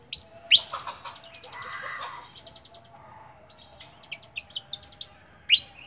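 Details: Bright high whistles from a caged flycatcher open and close a passage of rapid buzzy trilling and scattered quick tweets, over low background noise.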